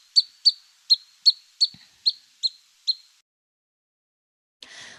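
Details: Pygmy Nuthatch little yipping call, heard on a bird walk at Metcalf Creek, Big Bear Lake, California, on 9 September 2020: a string of eight high, squeaky yips, about three per second, then a brief rustle of noise.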